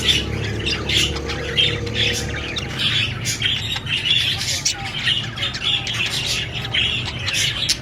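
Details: Budgie parrot giving dense, overlapping high chirps and scratchy squawks in a nonstop chatter, with a faint low hum underneath.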